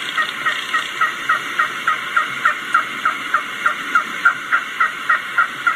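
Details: A wild turkey hen's walking yelp, a contact call given while moving to a gobbler or hen: a soft, steady, rolling run of short, hoarse notes under her breath, three to four a second, with faint background hiss.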